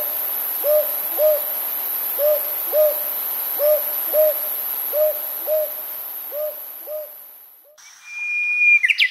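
Northern Boobook giving soft, mellow paired hoots, hoo-hoo, five pairs about every second and a half, over steady hiss, ending with a brief electronic tone.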